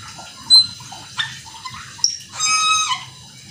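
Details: Cucak keling singing actively with fast, varied fills to provoke others of its kind into song: brief whistles and a harsh, buzzy, chattering burst with bright overtones near the end.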